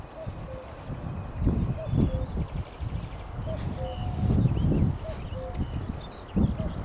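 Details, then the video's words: Cuckoo on 12 May 2021 repeating its two-note cu-coo about every one and a half seconds, partly covered by loud low rumbling and thumping noises close by, with faint bird notes above. "Kukanie kukułki"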